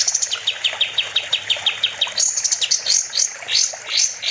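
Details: Kapas tembak, the olive-winged bulbul, in full energetic song recorded as a master for songbird training: quick evenly spaced chips, then a burst of higher, twisting whistled notes, with a constant high background hiss.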